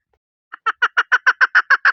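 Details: Chukar starting a call after a short silence: about nine rasping chuk notes, evenly spaced, growing quickly louder.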